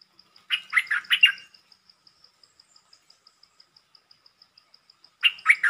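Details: Short, pleasant song of a champion red-whiskered bulbul: a quick run of four bright, slurred whistled notes, a long pause filled by rapid even ticking, then the phrase starting again.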